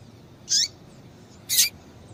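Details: Two short, high-pitched call notes about a second apart from a female double-collared seedeater calling to excite a male, the first with a downward-curving tail, over low background hiss.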